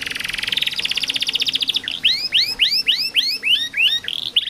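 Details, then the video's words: Canary singing a master song meant to prompt silent canaries to sing. A fast, buzzy trill gives way to slower, ringing upswept whistles, about three each second, ending in a short roll. "KENARI malas bunyi, Terapi burung macet/susah bunyi masteran kenari"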